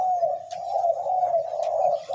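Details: {'caption': 'Caged Spotted Dove decoy, two to three years old, holding one long, low, steady coo that barely wavers for about two seconds before a fresh note begins. Faint clicks are audible.'}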